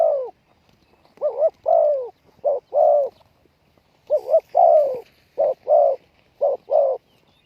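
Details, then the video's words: Decoy spotted dove calling to draw in wild doves. It gives steady repeated phrases of two or three mellow coos, each note low and slightly falling, in rhythmic groups about once per second. No other clear sounds. "chim cu mồi gáy gọi bổi"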